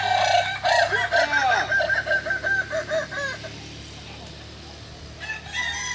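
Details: Kukuak Balenggek rooster at a joint training session in Ampang Kualo, Solok city, Indonesia: an extended stuttering crow of about ten pulsing, tiered syllables over three seconds, a steady low hum beneath, another crow beginning near the end.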